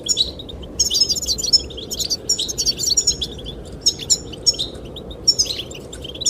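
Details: Goldfinches singing to attract the female: lively bursts of high, jingling twitters repeated about every half second to second, with a steady wind noise beneath.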